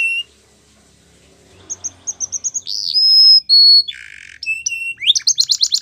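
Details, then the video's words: After a brief quiet start, a male canary sings spaced chirps, pure sustained whistles, a harsh buzzy note, then a quick bright trill of repeated notes. "Canary Sounds Male | The Best Canary Singing"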